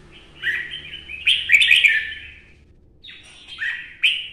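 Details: Red-whiskered bulbul, an old wild bird trapped in Quảng Nam forest, Vietnam, pours out a rich continuous warble of slurred notes, pauses briefly, then resumes with shorter chirpy phrases.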